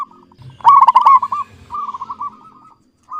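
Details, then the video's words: Clear-voiced local zebra dove giving one loud, fast rolling burst of staccato coos. Softer trilled coos follow and fade away before a brief last note. "Perkutut lokal GACOR suara jernih"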